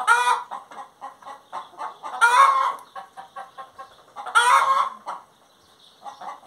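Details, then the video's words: Hen singing with steady quiet clucks and three loud grating squawks, near the start, at two seconds and at four and a half seconds, ending in near silence. "Galinha Cantando"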